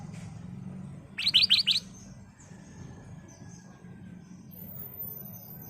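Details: Golden-fronted leafbird, caged, giving a lure song for training birds: a brief burst of four or five high, rapid chirps over a steady background hum.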